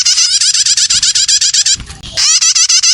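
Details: Young prinias calling as a lure for other birds: a steady, rapid string of rising chirps, about six per second, briefly interrupted by a soft rustle before resuming.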